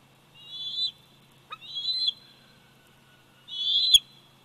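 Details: Bald eagle eaglet, 104 days old, at its nest in Big Bear Valley, picked up by a nest cam on 27 July 2019: three high, thin whistled squeals, each rising slightly and ending in a short downward break.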